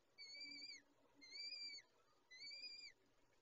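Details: Falcon feeding sequence: three evenly spaced, level, whistled wails with a slight downward droop at each end, repeated about once a second, over low background rumble.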